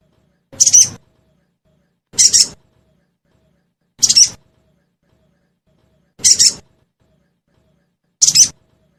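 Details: A ngeriwik-style lure recording of a sogon, or crested jay, played so caged birds answer: five short, shrill, rasping chirps, each about a quarter second, repeated roughly every two seconds against a silent background.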